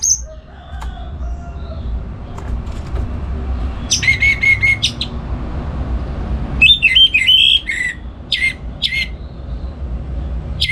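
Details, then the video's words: Caged orange-headed thrush kept at home in Singaraja, North Bali, singing loudly in the morning to lure and tutor other songbirds. Two bursts of high, sharp, warbled notes come after a quiet start, over a steady low rumble. "Pagi Hari Hari ANIS MERAH Ngeplong Gacor Untuk Pancingan & Masteran Burung Dirumah"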